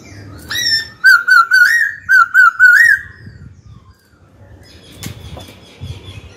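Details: White-cheeked laughingthrush kept as a singing cage bird, song meant to provoke a rival into fighting: a rising whistle, then a rapid run of six loud warbled, wavering notes, followed by faint background noise.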